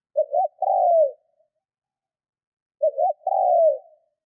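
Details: Captive decoy spotted dove being trained, singing in the 'Thúc' style to provoke wild doves: two coo phrases, each two short clipped notes then a long, slightly descending hollow coo, separated by a silent pause.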